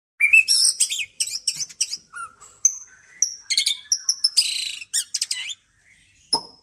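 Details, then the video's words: White-rumped shama singing after bathing: a rich, varied run of clear whistles, sharp chirps and buzzy high notes in quick bursts, with brief pauses and a final upslurred note. "ngintip murai sudah mandi"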